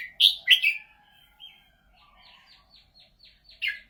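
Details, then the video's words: Red-whiskered bulbul singing in a golden voice, two loud liquid whistled notes followed by a softer series of rapid, evenly repeated buzzy downslurs and a closing bright note. "นกกรงหัวจุก เสียงทอง"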